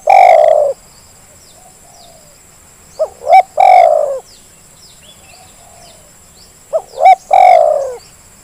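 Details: Zebra dove call meant to stir lazy birds into calling: long coo, pause with faint distant notes, then two further phrases of short rising coos and a drawn-out loud coo, electronic hum behind.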